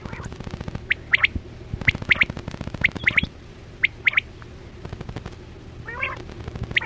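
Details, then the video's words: Chora quail (batera) call used as a lure for quail hunting with nets: sharp high notes in pairs and triplets, repeated roughly every second, over a steady low hum and bursts of crackling clicks. "Sound Of Chora Quail Batera"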